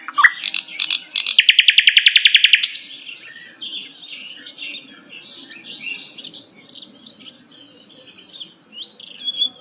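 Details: Bulbul, locally called Sikatan Londo, singing: a few high sharp chirps, then a loud, rapid buzzy trill of about a dozen even notes, followed by softer, varied twittering and whistled phrases.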